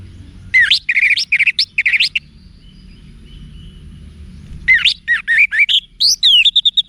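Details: Caged-bird training recording of orange-headed thrush 'wiksar' song, meant to make other thrushes answer boldly: a quick run of rising, looping whistled notes, a pause of about two seconds, then a busier stretch of varied chirps and slurred whistles.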